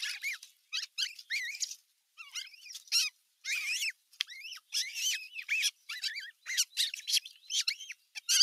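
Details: Osprey nest #1 on 15 June 2023, where the larger chicks clash now and then under an adult's watch; dense sequence of piercing, wavering squeaks and upslurred whistles, nearly continuous with short gaps.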